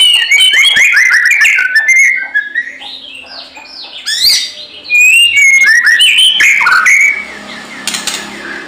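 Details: White-rumped shama singing energetically in a fighting mood, used as a lure to provoke other shamas; a rapid, varied stream of bright whistles, sweeping slurs and sharp chirps, with brief pauses and a harsher rustling burst near the end.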